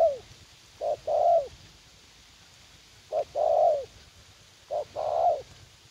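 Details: Young spotted dove decoy, eager to fight, in a garden at U Minh: three phrases, each a quick hoot then a drawn-out burry coo, spaced roughly two seconds apart.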